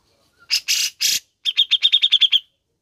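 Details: Grey-cheeked bulbul played for caged birds to spur singing: three harsh scolding notes, then a rapid run of about eleven bright, evenly spaced chirps.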